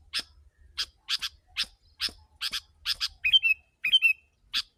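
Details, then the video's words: Sooty-headed bulbul used as a lure for wild birds, mostly harsh scratchy chips in singles and pairs, broken by two brief rippling whistled phrases. "Kutilang si.ladusing super gacor suara rapat menekan burung liar"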